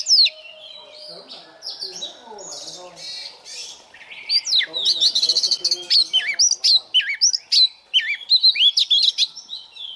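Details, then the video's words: White-rumped shama decoy bird in morning voice training: soft low background sounds at first, then a sustained run of fast, varied whistles and chips with rising and falling slurs. "Chòe than mồi hót luyện giọng mỗi sáng"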